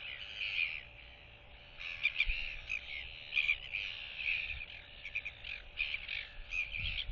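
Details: Royal albatross chick displaying and whistling to two neighbouring chicks on 8.7.23, turning its head side to side; banded, harmonic whistled calls come in repeated bursts, with low rumbling wind underneath.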